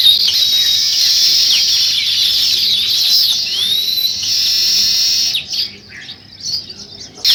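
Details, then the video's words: Sparrows at a village weaver colony building nests in the morning: a steady wall of high twittering with thin swept whistles, then a sudden drop to scattered single chirps near the end. "Sparrow Morning Chirping Sounds"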